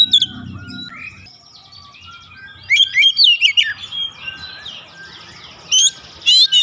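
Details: Oriental magpie-robin singing when agitated, a varied sequence of quick slurred whistles and chatter after a softer opening, with short sharp bursts near the end and a background hiss.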